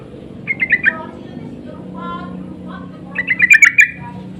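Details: Insistent lure calls of sooty-headed bulbuls answering each other: two bursts of four to six bubbly chattering notes, the second louder and rising in intensity, separated by a pause with a steady low hum beneath.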